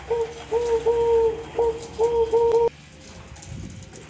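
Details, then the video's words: Dove giving a steady run of about six low, flat hooting coos, evenly spaced and similar in pitch, ending abruptly and followed by quiet background hum. "DOVE SINGING"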